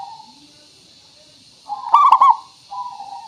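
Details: Zebra dove, a local bird with a crystal-clear voice, singing as a lure to prompt birds to respond. A soft hum, then one loud, quick, bubbling triple coo, followed by a gentle lower coo over faint hiss.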